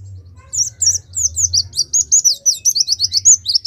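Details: A Pemalang Oriental white-eye sings a rapid, continuous chattering twitter of very high, sharply bent notes, about four to five per second, building in loudness after a quiet start.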